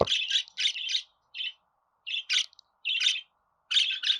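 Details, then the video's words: Budgerigar singing a string of buzzy, grating chirps in uneven clusters with brief pauses between them. "Muhabbet Kuşu Sesi"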